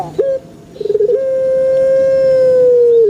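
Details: Pelung chicken crow: one short note, a rapid stuttering run, then a long sustained resonant tone held steady for nearly two seconds and falling slightly at the finish.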